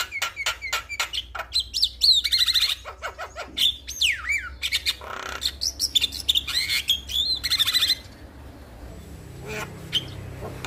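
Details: Male Javan myna in full, continuous song meant to prompt other mynas into singing: a rapid mix of harsh broadband rasps, clicks and bright whistles near the top, with wavering whistled phrases, fading to quiet after about eight seconds.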